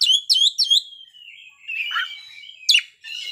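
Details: Oriental magpie-robin singing its learned repertoire: three quick sharp whistled notes, then a long thin held tone, a warbled passage, and a final sharp chip.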